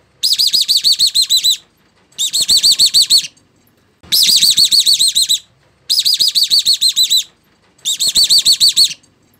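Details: Small bird, chim ri, played as a strange call to scare birds into invisible mist nets; loud bursts of rapid, arched, whistled notes, about nine to a burst, in five bursts separated by short silences.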